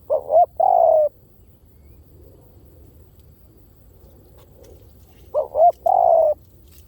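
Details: Two cooing phrases from a spotted dove used as a lure, about five seconds apart. Each has two short rising notes followed by a long, slightly descending coo, with near-silence between.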